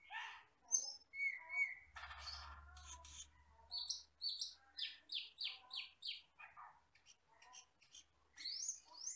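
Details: Asian glossy starling, a wild forest bird, black with red eyes: a varied run of high whistles, clicks and a harsh burst, then a rapid string of sharp, similar whistled notes, ending in rising slurred whistles.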